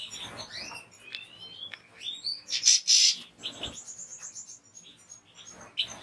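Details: Continuous rapid twittering from a European goldfinch, with high tinkling notes, short upslurred whistles and buzzy trills running together without a break.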